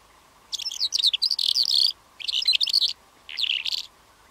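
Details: Calandra lark singing; the species can also sing in flight. Three bursts of rapid, jumbled, high twittering notes, each lasting under two seconds, separated by short pauses, over a faint steady low hum.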